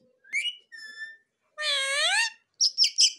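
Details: Pet ringneck talking parrot producing a short whistled note, a thin high tone, then a long harsh voice-like utterance rising and falling, ending in quick squeaky chirps; a person speaks nearby.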